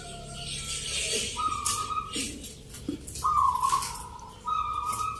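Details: Local zebra doves singing in a Nglagu Ngepat Mentaraman rhythm contest in Jogjakarta, Sunday 19 November. Hissy background gives way to several sustained trilled coos, with scattered clicks and venue noise.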